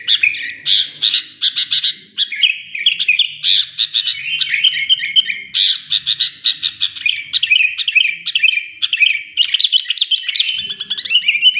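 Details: Sooty-headed bulbul in full, persistent song, a long, dense sequence of sharp chirps and bubbling slurred phrases repeated many times over nearly twelve seconds, with only faint low sounds in the background.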